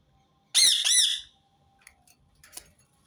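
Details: Two sharp, harsh screeches from a Rose-ringed parakeet, closely paired, followed by faint background clicks and rustles.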